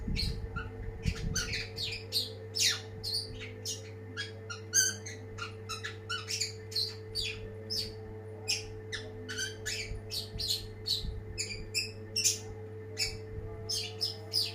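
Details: Long-tailed shrike singing a long, busy stream of varied scratchy chirps, clicks and harsh notes, packed densely and irregularly, with a constant low hum in the background.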